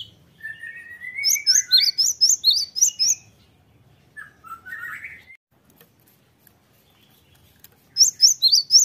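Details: Cinereous Tit song used as a lure recording to draw answers from other birds: a quick burst of about eight sharp, high chirps, a lower sliding warbled phrase in the middle, then the bright chirping series starts again.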